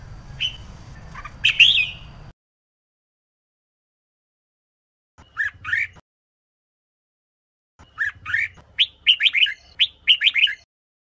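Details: A female red-whiskered bulbul, whose calls stimulate males to sing, gives a few slurred chirps, falls silent for several seconds, then delivers a rapid series of rising-falling notes.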